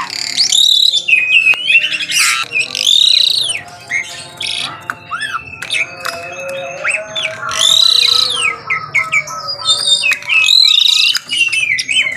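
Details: Morning song of an Asian pied starling: dense harsh squawks mixed with whistled sweeps and chattering phrases, delivered in loud bursts separated by brief quieter gaps.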